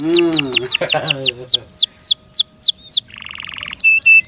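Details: Captive canary song: fast falling whistled sweeps repeated in a rhythmic run, a low harmonic squawky sound at the start, then a buzzy trill and short high notes at the end.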